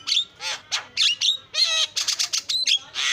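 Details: Javan myna chatter, a filler song for training a myna that will not sing: rapid harsh buzzy syllables and short twisting whistles packed closely, ending in a grating rasp.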